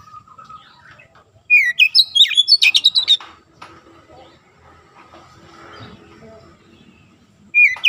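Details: Oriental magpie-robin in a training recording for young birds, aimed at fast, tight 'nembak' singing: a quick run of slurred whistles and harsh chattering notes lasting under two seconds, then a quiet pause and a brief whistle at the end.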